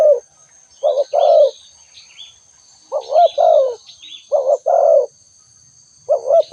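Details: Spotted dove calling: soft low coos in paired phrases, a short note followed by a longer falling one, heard about four times, with faint high chirps of small birds and a steady thin whine behind.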